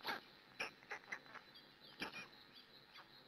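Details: Female black stork looking after chicks at a nest in Hungary, early morning, live nest camera; loud wheezy, husky calls in a rapid uneven series of five or six, then softer fading notes.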